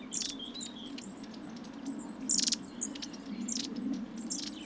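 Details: A long-tailed tit flock around suet feeders at Saltersford Locks, Cheshire, in winter 2012/13 calls thin, very high 'see-see' notes and short buzzy rattles every half-second, over a low steady hum.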